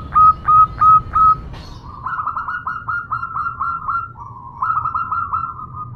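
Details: Local zebra dove female calling to a male: four clear, separate whistled coos, then a longer run of quick, slightly dropping cooing notes repeated in steady series.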